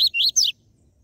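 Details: Short 'tui tui zel zel' style seedeater phrase used to stimulate captive birds: three quick high whistled notes, the middle one rising and the last sweeping sharply downward, over a faint low hum.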